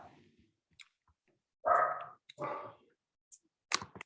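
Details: Room quiet broken by short clicks and two brief bursts of human voice, with no animal calls.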